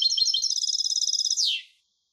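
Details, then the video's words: A European goldfinch hybrid delivers a steady, fast rolling trill of bright repeated notes, finishing with a descending slurred note. Nothing else is audible. "تغريد هجين الحسون Canto De Mixto del Jilguero"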